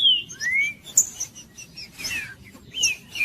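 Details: Green-winged saltator in Judas song, meant to warm up a cold bird. It gives a clear, falling whistle, then a long rising slur, with soft chirps and a raspy note between.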